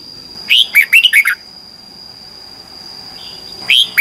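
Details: Red-whiskered bulbul singing competitively in the morning as a lure for training birds: one brisk phrase of five or six looping, warbled notes, a long quiet stretch, then the start of another phrase, over a faint steady tone.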